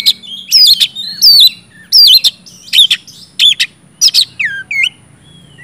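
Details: Lure song of an oriental magpie-robin in 'gacor ngeplong' style for coaxing silent birds: repeated sharp chirps and twisting whistles at roughly one and a half per second, finishing with two soft falling whistles.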